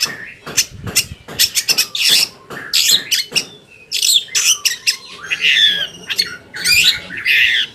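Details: Long-tailed shrike lure song meant to make other shrikes answer: a rapid string of sharp clicking ticks and short harsh notes, then louder scratchy, buzzy phrases with high squeals, in quick irregular bursts.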